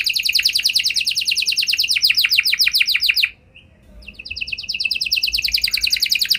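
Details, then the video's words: Canary song meant to set other canaries singing: a fast, even trill of falling high notes, a short break with a soft chirp, then a renewed rapid trill that grows louder. "Kenari Gacor Lagu Istimewa! Langsung Nyaut Kenari Mana Saja Dengan Suara Burung Kenari Ini"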